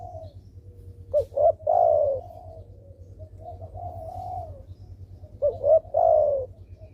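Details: Vigorous spotted dove calls, intended as a lure for doves that call little: two phrases roughly four seconds apart, each two short clipped coos and a long falling coo, soft background coos and low hum.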